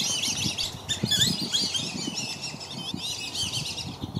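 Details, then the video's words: Many black-bellied whistling ducks crowd a family at Circle B Bar Reserve, Florida, as parents fly and swim at intruders; layered thin whistled notes rise and fall continuously over splashing water. "BLACK-BELLIED WHISTLING DUCK PARENTS PROTECT THEIR YOUNG FROM OTHER DUCKS"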